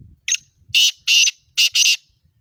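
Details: Black francolin of the Sindhi patha type calling: a short first note, then two paired groups of loud, harsh, grating bursts separated by a brief pause, all within two seconds, against a quiet background.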